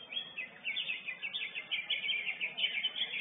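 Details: Champion lesser green leafbird in a singing contest, giving a short burst of rhythmic, high chirping phrases repeated in quick succession, clear over a quiet background.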